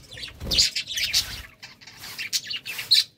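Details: Budgies at courtship time give brief bursts of scratchy chirps with a few shrill squeaks, over a soft low rumble at the start.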